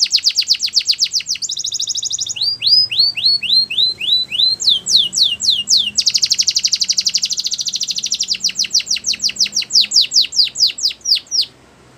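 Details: Belgian canary song used for training young canaries: fast trills of repeated high notes, rising whistled slurs, buzzy rolls and rapid chattering phrases, loud and continuous.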